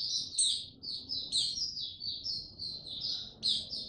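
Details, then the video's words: White-eye (Mata Puteh) male warming into song, steady and unhurried, recorded 6 March 2022: continuous high twittering warble of sweet slurred notes with a few piercing upward squeaks, low hum underneath. "Mata Puteh Before he open buka"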